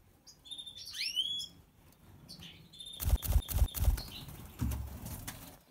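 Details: White-headed European goldfinch of the Major type. A burst of quick, high twittered notes sweeps up and down in the first second and a half. Loud thumping rattles follow, like wing flaps or knocks.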